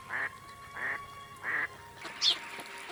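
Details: Mallard in winter in central Russia, on an urban pond that stays ice-free, where people feed the ducks: three harsh, nasal quacks spaced about two-thirds of a second apart, over a faint steady tone.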